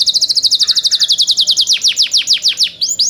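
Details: Young canaries in care singing a quick, even series of high bright notes repeated several times a second, the last notes sliding lower before two rising whistles.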